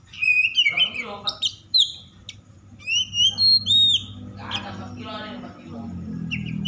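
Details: Oriental magpie-robin singing in an agitated, over-excited manner, used to provoke other magpie-robins into singing; bursts of whistled and slurred notes with some harsh rasping phrases, pauses between bursts, low hum underneath.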